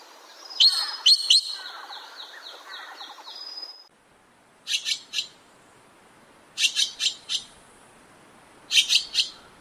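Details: Azure-winged magpie calling: a long buzzy, rattling series of harsh notes for nearly four seconds, then short bursts of two or three rasping calls after a pause.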